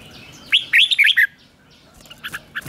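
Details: Red-whiskered bulbul in 'ché kích bổi' morning song training: one rapid phrase of four or five rising and falling whistled notes, then softer, shorter chirps against a faint background hum.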